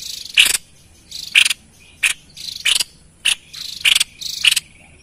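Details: Busy White-chested babbler, played to draw in wild birds: seven short scratchy bursts, each starting with a bright note, delivered at an uneven pace of under a second apart.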